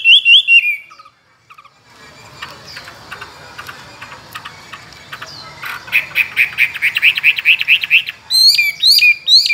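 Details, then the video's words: Tame caged Chinese hwamei, kept two years, a strong contest singer with many wild voices: loud slurred whistles, a pause, then a fast run of repeated bright notes and a closing burst of clear whistled phrases. "Họa mi thuần nhiều giọng rừng,chim đấu hót tốt"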